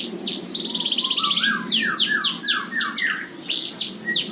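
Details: An F1 Yorkshire canary from a breeding cage delivers lively song: a buzzy sustained trill, then a run of quick descending slurred whistles and sharp high notes, loud and clear.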